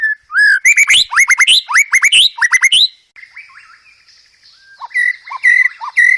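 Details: White-rumped shama master song for training caged birds, full of filler phrases: a burst of loud rising whistles and sharp high notes, a quiet gap with faint whistling, then more clear whistled phrases.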